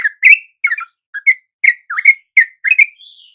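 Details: Dawn lure song of a sooty-headed bulbul, answered by wild birds: punchy, bubbly two-part whistles, roughly two or three a second, ending on a thin drawn-out higher note.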